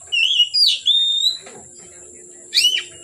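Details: Oriental magpie-robin in song late in the day: a long wavering whistled phrase, then a pause, then a sharp bright burst of notes; faint high hiss throughout.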